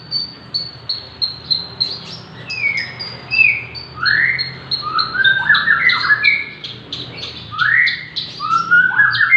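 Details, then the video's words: A six-month-old Javan bush lark singing hard, suited as a tutor or to prompt others. Clipped high chirps at first, then loud sweeping rising whistles at a lower pitch mixed with dense chirping. "burung branjangan javanica usia 6 bulan gacor"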